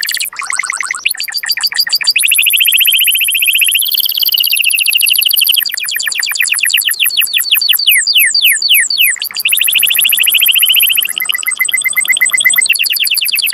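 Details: A male canary sings a loud, continuous mating song of rapid trills and rolling tours, some buzzy, some sweeping down in fast repeated notes, high-pitched throughout, meant to stimulate breeding.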